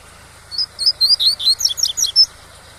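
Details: Double-collared seedeater kept in captivity, giving its tui-tui song for teaching youngsters: a phrase of about nine quick, clear whistled slurs, some sharply up-and-down, lasting under two seconds against a constant low waterfall sound.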